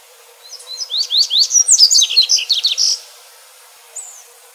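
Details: Wild double-collared seedeater (Sporophila caerulescens) singing in nature: a quick, high, bright phrase of sharp whistled notes and buzzy trills for about two seconds, then one short note follows.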